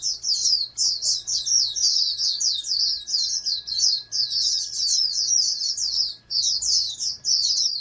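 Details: Oriental white-eye, a caged bird being bred as a hopeful national champion songbird, singing a continuous fast, high twittering warble of rapid slurred notes with only brief pauses; a faint steady hum underneath.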